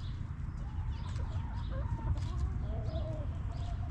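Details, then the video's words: Hens relaxing in a backyard coop: a string of short, tonal, slightly rising and falling clucks, several per second at times, above a continuous low rumble. "Hens Clucking!"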